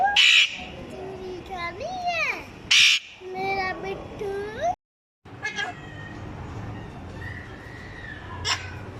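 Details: Parrot imitating a small child's voice: wavering, speech-like tonal sounds sliding up and down, broken by short harsh screeches, then a brief silence and a softer level tone with a final sharp burst.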